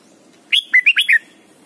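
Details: Red-whiskered bulbul from Thailand, a training song for teaching young birds to sing: one brisk phrase of five loud, clear whistled notes that slur up and down over about seven tenths of a second, against a quiet background.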